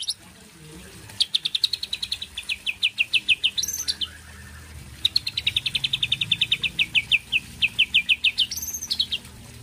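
A White-rumped shama gives two bright phrases of rapid, evenly repeated high notes, each closing on a sharp higher whistle. Faint background hum.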